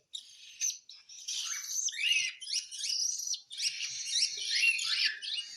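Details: During hand-feeding a cockatiel keeps up a fast, nearly continuous stream of rough, buzzy begging notes with chattering rising slurs and little break.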